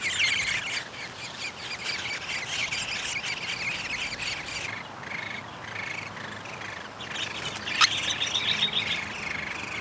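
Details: Downy woodpeckers feeding at the nest on 20 May 2021 give an intense, rapid chattering of squeaky buzzy notes that eases after a few seconds, then resumes after a sharp click.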